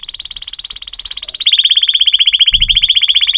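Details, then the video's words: Canary delivering a long, rapid rolling trill of tightly repeated notes that drops slightly in pitch midway and then carries on at a steady pace. A faint low thump is heard near the end. "chant singing canaries 12 تغريد الكناري"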